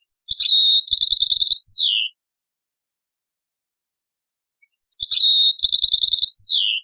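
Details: European goldfinch in taqsrain song from an old cassette, repeating one phrase twice about four seconds apart: a rising note, a buzzy trill, crackling twitter, then a descending whistled slur.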